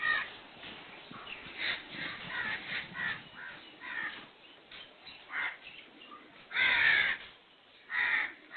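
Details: Black francolin (kala teeter), whose call is rendered as "subhan teri qudrat", giving harsh, grating, crow-like notes in ragged bursts. The two loudest come near the end, about a second apart, over a soft hiss.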